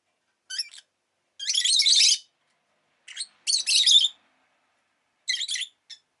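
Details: Pet rosy-faced lovebird chirping: short clipped notes alternate with longer, dense, rasping bursts, spaced out with gaps of silence between each phrase.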